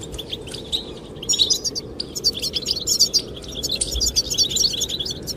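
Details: Wind blows while goldfinches sing. After a brief lull, a dense, tinkling chatter of rapid high chirps builds and keeps going to the end.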